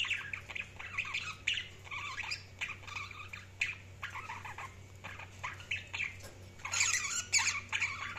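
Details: Budgerigars chirping in a steady stream of short warbled and squawky notes, mostly high-pitched, with a low constant hum beneath and a louder burst of chatter near the end.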